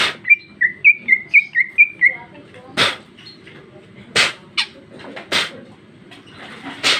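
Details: Female greater green leafbird in ngeplong song with isian phrasing: six quick, sharp whistled notes in a rapid rising-and-falling series, followed by several loud broadband clicks and knocks.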